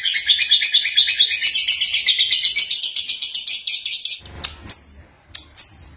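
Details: Young lovebird (Agapornis) singing: dense, high, rapid chirping chatter for about four seconds, then it breaks off into a few separate sharp chirps with short gaps and low thumps between.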